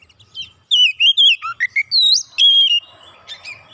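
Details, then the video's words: Oriental magpie-robin, provoked into emotional singing, pours out loud varied whistled phrases: slurred rising and falling notes, sharp upswept whistles and a long steady high whistle, ending in softer scratchy twitters. "Kacer sekali pancing langsung emosi bongkar isian"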